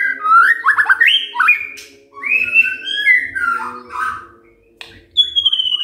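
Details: White-rumped shama singing as a morning lure to set off other shamas: flowing whistled phrases with rising and falling slurs and rapid sweeps, then a lone high sustained note, over a soft low hum.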